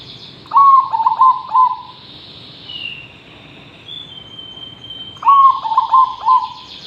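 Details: Lively zebra dove song, used as a model for training other birds: two phrases of stuttering, clipped coos, each run of four or five notes settling lower and longer at the end, separated by a few seconds of quiet background hiss.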